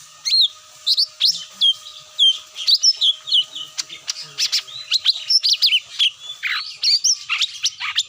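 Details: Cucak mini lure call for drawing birds down: a lively, tumbling stream of sharp high chirps, trills and whistled slurs, densely overlapping, with a faint continuous hum.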